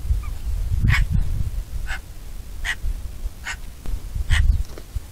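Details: Short, clipped yelping calls of a Bonelli's eagle, five notes spaced evenly under a second apart, set against buffeting wind in the background.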